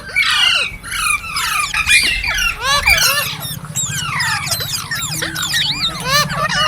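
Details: Green parrots produce a rapid cascade of steep down-slurred and arched squeaky chirps, many birds overlapping, over a steady low mechanical-sounding hum.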